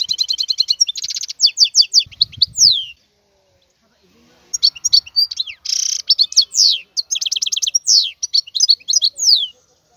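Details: Wild European goldfinch song, a lively run of rapid chirps, rattling trills and downslurred notes, then a silent gap before another bright twittering phrase with a harsh buzzy burst; a short low thud early on.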